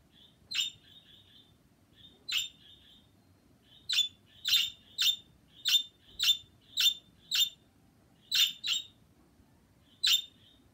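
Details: Birds on February 26 chirping: a series of short, sharp chirps with thin steady whistled tones between some, repeated irregularly roughly every half to one and a half seconds, in a quiet setting.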